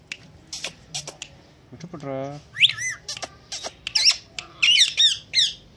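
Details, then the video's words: Indian green ringneck talking parrot, trained to speak and imitate meowing; clicks lead to a low, voice-like drawn note, then a run of short shrill squawks and warbled chirps. "Indian Green Ringneck Talking Parrot talking good || mitho put,meow,Dancing and wistling very well"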